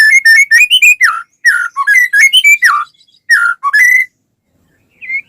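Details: White-rumped shama singing, used to get other shamas to answer: dense, varied whistled phrases mixing steady, rising and dropping notes, then a pause and one quieter rising note at the end.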